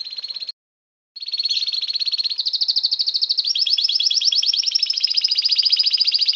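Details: Pet canary singing vigorously, a brief pause followed by long high rapid trills and rolling chirped runs, changing tone every second or two.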